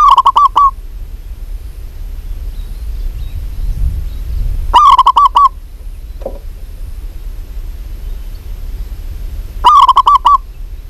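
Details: Three separate bursts from a local zebra dove in full voice, each a fast string of short, hollow, even-pitched coos, spaced roughly five seconds apart over faint low rumble and a brief soft note between.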